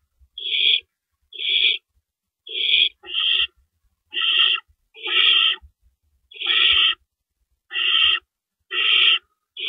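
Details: Owl at its nest in the small hours of April 4, 2012, as rabbits are carried in and out; rough, sibilant screeches repeat roughly every second, around nine bursts in total.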